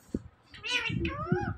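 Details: Indian ringneck parakeet talking indoors, repeating a short word in quick, slurred, harmonic syllables, with a soft click just before the speech-like phrases.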